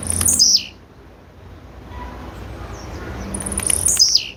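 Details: Female blue-black grassquit giving two high, thin calls about three seconds apart. Each call sweeps steeply downward from very high pitch, with faint low background hum between them.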